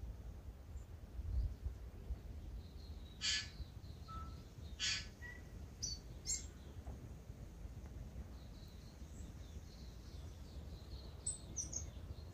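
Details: Tui in Manawatu, New Zealand, just waking before sunrise and not yet in full song, giving scattered harsh, wheezy bursts mixed with a few short clear notes and thin high squeaks over a steady low rumble.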